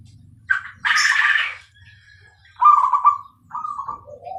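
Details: Zebra dove, Bangkok type, singing clearly: a harsh rustling burst opens, then purring trilled coos step down in pitch to a short low note at the end.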